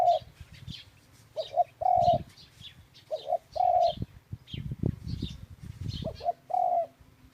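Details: Series of dove coos, each a clipped pair followed by a longer smooth note, repeated about five times. Rustling low noise and sparse high bird chirps are in the background.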